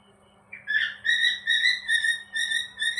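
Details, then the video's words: Happy pet cockatiel whistling a series of steady clear notes repeated about twice a second, each bright and slightly rising, over a faint low indoor hum. "happy cocktail bird"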